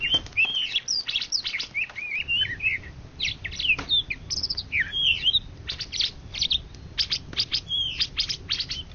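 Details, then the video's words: Indonesian champion greater green leafbird, 2013–2014, pours out busy twittering whistles and short slurs in bursts, with rapid clicking ticks between phrases. "Cucak Ijo Juara satu se Indonesia Raya 2013 2014"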